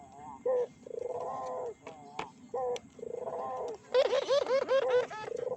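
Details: Barbary dove calls played as a lure to excite other doves. Short bright coos alternate with longer falling coos, ending in a rapid rolling burst of bubbling notes. A steady high whine sits behind.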